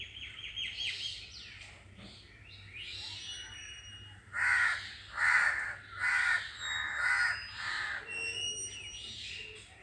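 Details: Small birds twitter and chirp at first, then crows break in with a run of five loud harsh caws in quick succession, while thin high bird notes continue behind them.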